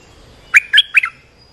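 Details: Lure and training call of an olive-winged bulbul, meant for teaching young birds and calling in wild ones: a single short burst of three liquid, warbling chirps, clean and close.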